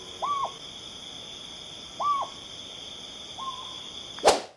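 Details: Owl giving shrill, melodious hoots: three short arched notes spaced about two seconds apart, the last one fainter, over a steady high-pitched hum, followed by a sharp click at the end.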